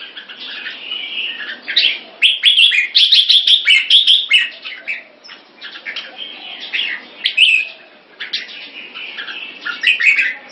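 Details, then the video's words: Red-whiskered bulbul, a caged competition bird kept in Singapore, displaying with bursts of bright chirpy whistled phrases, quick notes tumbling in clusters between short pauses. "นกหัวจุก Jambul"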